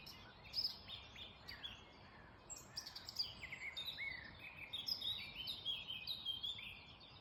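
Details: Dawn chorus of wild birds in the Black Forest, early morning: bright, high twittering and whistled notes in quick overlapping bursts, several singers at once, with a steady low hiss underneath.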